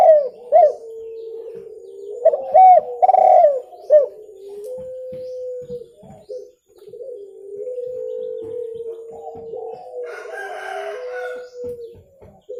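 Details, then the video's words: Spotted dove cooing, a recording meant for luring birds: low, soft, drawn-out coos, some short and others held steady, with brief faint chirps from other birds near the end. "SUARA TEKUKUR JERNIH COCOK UNTUK PIKAT"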